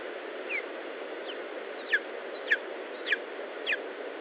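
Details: Lesser spotted eagle at an Estonian nest, 19 July 2012, late morning: a short series of clear, piercing downslurred whistles spaced roughly every half second and evenly repeated, against constant hissing noise.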